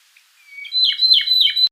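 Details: Okinawa nightingale song phrase: thin, faint whistled lead-in notes swelling into three loud, ringing, slurred notes that dip and rise, ending abruptly, in otherwise quiet surroundings.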